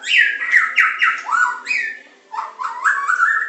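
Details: White-rumped shama of the Medan type singing a training song with provoking, jammed, burst and filler phrases: loud clear whistled notes falling and rising in quick slurred sequences, a brief pause, then a run of rising whistles.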